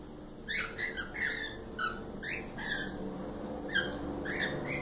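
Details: Several pet cockatiels calling indoors; bright, short rising chirps and squeaks repeated irregularly, some overlapping, with a steady low hum underneath.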